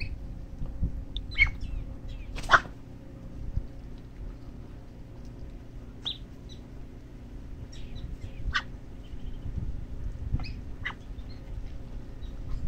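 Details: Thirteen black-bellied whistling duck chicks at feeding time in Boca Raton, Florida, USA give thin, high peeps, single or in short bursts at irregular intervals, over a steady low rumble and faint hum.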